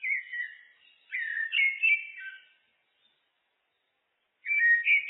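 Common blackbird singing mellow, fluting phrases, two warbled phrases, then a pause of about two seconds before another begins; no other sounds.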